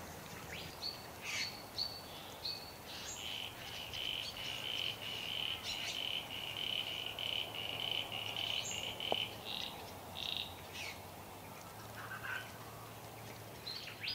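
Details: Satin Bowerbird at its bower in a country garden, Victoria, Australia, 25 July 2024, displaying with a long series of short buzzy notes, steady in pitch, broken by higher squeaky chips and faint insect-like chirping.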